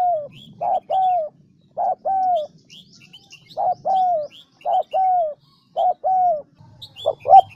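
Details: Spotted dove lure sound for prompting wild doves to coo: rhythmic coo phrases, a short clipped note then a longer descending one, repeated regularly, with scattered high chirps of other birds and a low murmur.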